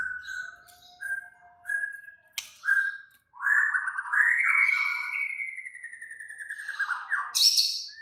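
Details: Agitated white-rumped shama song: short repeated mid-pitched whistles, then a long sustained wavering whistle lasting several seconds, ending in a sharp high burst.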